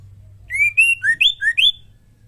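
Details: Female white-rumped shama singing, used to provoke male shamas to sing; one quick phrase of five bright whistled notes, sliding up and down in pitch, with a faint low hum beneath.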